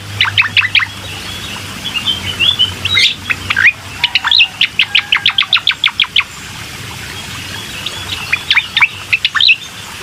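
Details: Bar-winged prinia singing, used to get a reluctant caged bird to sing: rapid runs of a dozen sharp, high chirps in steady rhythm, broken by short twittering phrases.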